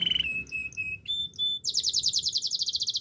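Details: Canary singing a fast varied song: a steady mid-pitched trill, then short high whistled notes, ending in a rapid buzzy high-pitched rattle of repeated notes.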